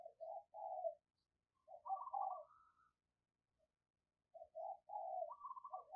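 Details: Morning call of a decoy spotted dove luring wild birds, heard faint and distant: short throaty coos, a wavering higher trill and more soft coos after a pause.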